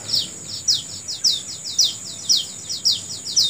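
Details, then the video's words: A bird in the morning repeating bright, high, downward-sweeping chirps, roughly two each second in a regular rhythm, set against an unbroken high-pitched background drone. "Suara Burung Di Pagi Hari"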